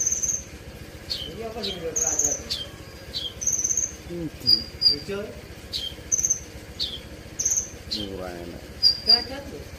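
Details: Brown-throated sunbird, called kolibri ninja, delivering "isian" filler song: repeated very high whistles and short descending chips, with lower buzzy, ladder-like chatter in the background.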